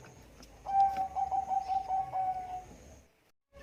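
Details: Thick-voiced Bangkok zebra dove (perkutut) calling: a soft, sustained, evenly pulsing coo of about two seconds, heard quieter against a faint background hiss and low rumble.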